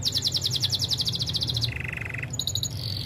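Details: Spanish Timbrado canary for song training: a fast pulsing trill, a lower buzzy rolled phrase, then brief high clear tones, with noticeable low background hum.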